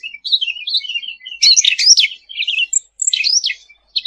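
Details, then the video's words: Sooty-headed bulbul singing energetically in 'gacor' style: continuous quick chattering of high slurred whistles and twitters, louder rasping bursts in the middle, and swooping notes toward the end, with no other sounds. "Suara Cucak Ranting Gacor untuk Masteran ll Suara burung cucak rante"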